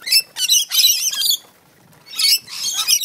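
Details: Fighting rainbow lorikeets in a New South Wales Central Coast back yard: loud, piercing, grating screeches in quick bursts, a brief pause, then another harsh screeching outburst.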